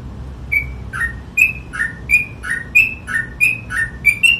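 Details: Sooty-headed bulbul delivering its ropel song, crisp whistles stepping between a higher level note and a lower slurred one, repeated about every third of a second after a short quiet opening.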